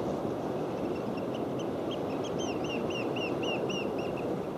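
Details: Red-billed choughs at Porthgwarra, Cornwall, on 17 March 2012 give a quick run of about ten high, ringing, arched 'chee-ow' calls, several per second, over a steady roar of wind and surf.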